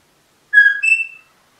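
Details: Pet rosella parrot giving a single clear two-part whistle, a level lower note sliding up into a higher held note, lasting under a second, with silence around it.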